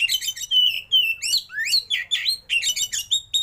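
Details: Oriental magpie-robin singing in the rich 'isian' fill-in and 'roll tembak' style, with a tail-opening display. Fast, varied whistled phrases and buzzy sweeps repeat about two to three times a second, with sharp upslurs and downslurs.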